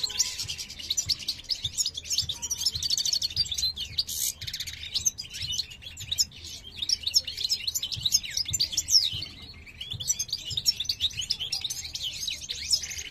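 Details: Caged male parva European goldfinch singing beside its mate at a new nest during the 2023 breeding season; a long run of fast, bright twitters and liquid trills, with a brief pause near nine seconds before resuming.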